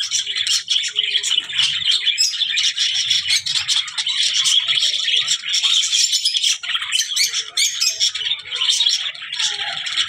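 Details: Budgerigar chatter: fast, buzzy, high chirps and rattling warbles, densely layered and running without a break.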